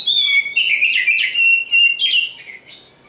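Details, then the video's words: Oriental magpie-robin of the black form known locally as Kacer Hitam, a prospective contest champion, singing a rich, fast run of sweet whistles and slurred notes for about three seconds, fading toward the end. "Nyanyian si "Kacer Hitam"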